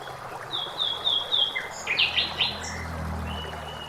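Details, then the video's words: Common blackbird singing in a forest beside flowing water: clear fluted whistled phrases and brief warbles with high squeaky notes, over a steady low rush of running water. "Blackbird singing"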